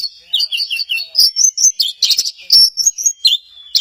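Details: Orange-headed thrush at Kesamben singing a lively run of quick paired whistled notes, rising and falling, mixed with harsher sharp chips throughout.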